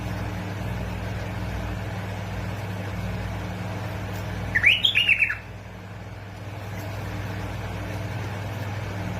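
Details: Bulbul of Basra and Fao, Iraq, in a singing-stimulation recording: one short, quickly warbled phrase of liquid, up-and-down notes midway through, otherwise only a continuous low hum.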